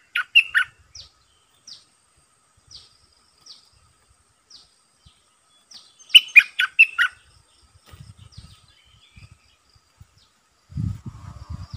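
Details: Red-eyed bulbul serving as a decoy for wild birds. An opening warble, spaced thin chirps, and a loud bubbly phrase, then low rumbling thumps near the end.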